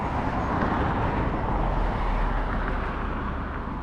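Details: Steady low rumble of passing traffic with broadband road noise and no animal calls.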